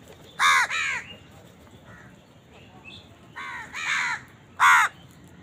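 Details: While eating, a house crow gives grating caws in clusters: a loud pair, a quiet stretch with faint chatter, then three more rasping caws.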